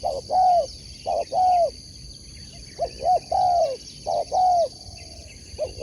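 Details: Spotted dove entered in sport dove competition coos in repeated phrases: two short hooked notes followed by a longer level coo, each phrase about one and a half seconds apart, with constant insect trilling above.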